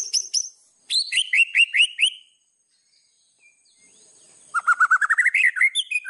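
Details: White-rumped shama singing in full voice as a training master song, packed with varied fill phrases: short high notes, a run of rising whistled slurs, a pause, then a rapid series of rising whistles.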